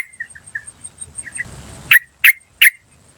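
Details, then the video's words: Wild yellow-vented bulbul, natural sound used to lure birds. Soft clipped chips build to three loud, harsh 'chuk chuk chuk' notes about 0.35 seconds apart, over a faint steady insect whine. "PANCINGAN TRUCUKAN BAHAN Asli Suara Alam Liar CUK CUK CUK memanggil"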